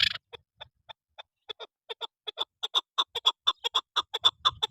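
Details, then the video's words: A chukar partridge gives a series of sharp clucking notes that start sparse and quicken into a rapid, rhythmic chuk-chuk run. "chakor Best sound/چکور کی بہترین اواز"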